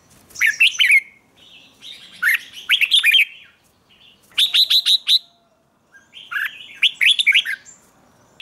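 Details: Red-whiskered bulbul in lively 'ché' morning song used for training: four separated phrases of rapid, ringing whistled notes, each phrase a tight cluster of five or six sharp syllables, with quiet gaps between.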